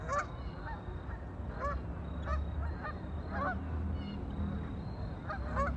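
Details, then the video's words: Ducks on a lake: a lively flock gives repeated short, nasal, upward-bent honking calls, several at a time, over a constant low rumble and a thin steady high whine. "Ducks on a lake"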